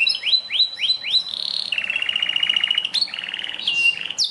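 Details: Belgian canary singing upswept whistled notes, then a steady rolling trill of rapid pulses, followed by more sharp rising notes over faint background hiss.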